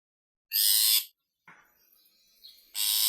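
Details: Long-tailed shrike calling to a female: two loud, harsh, rasping bursts, each about half a second long, separated by a quieter stretch with faint scratchy notes.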